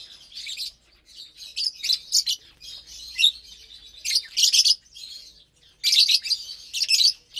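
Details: Lovebirds in captivity at morning feeding time on a Saturday, eating vegetables and seeds together; shrill, buzzy high chirps in irregular bursts, some clusters of rapid squeaks, with brief pauses between.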